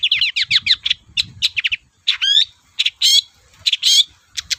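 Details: Lively Long-tailed shrike lure song to provoke silent shrikes: quick series of downslurred chips, then stacked rising whistles and loud scratchy bursts spaced about a second apart, with faint low rumble in the background.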